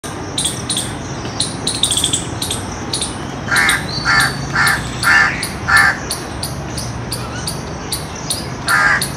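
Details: An alert Indian peacock gives a series of five loud, harsh, nasal calls in quick succession, each about half a second long, followed by one more call after a pause, over a steady, rapid ticking background.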